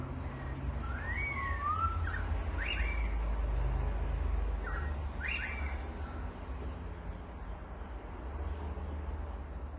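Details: Birds in Australia chirping: short rising and falling whistled notes and quick doubled chirps, with a high thin twitter near two seconds, scattered over a steady low rumble of traffic or wind.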